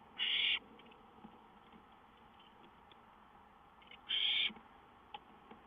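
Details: Wild songbird recorded on 5-9-2013, giving two loud, flat, high whistled notes about four seconds apart, each lasting under half a second, over a steady background hiss.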